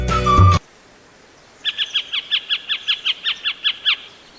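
A Pied Harrier gives a rapid chattering series of about fourteen sharp, slightly downslurred notes, roughly six a second, after a brief burst of music.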